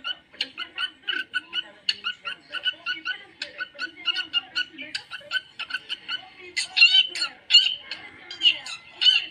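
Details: Caged budgerigar chatter: a steady stream of clipped, scratchy chirps and little squeaks in quick succession, rising to a brighter, louder burst of squeals near the end.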